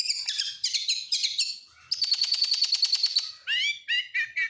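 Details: Oriental magpie-robin of the Kacer Nasional type, its song full of lovebird, canary and prinia imitations. Chattering phrases lead to a fast steady trill lasting over a second, then loud rising whistles.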